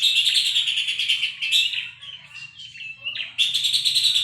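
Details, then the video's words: Puff-throated babbler song used as tutor material for training Long-tailed Shrike and White-rumped Shama: fast, harsh, buzzy chattering notes in dense runs, a quieter patch of softer scattered notes midway, then the rapid chatter resumes; faint low hum beneath. "Pelanduk Semak cocok untuk masteran burung Cendet dan Murai Batu"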